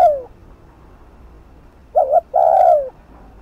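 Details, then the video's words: The end of one falling coo, then a full spotted dove phrase of a quick two-part note and a long, smooth descending coo. The cooing is fast 'thúc gù' style, used to rouse decoy birds. "Cu gáy Thúc Gù TỐC ĐỘ kích bổi/kích mồi nổi điên gáy ngay"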